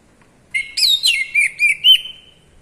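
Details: Oriental magpie-robin (kacer) singing in ngeplong style: a clear, loud phrase of five or six whistled notes, sliding and warbling, ending in a sustained high whistle that fades out, with no other sounds.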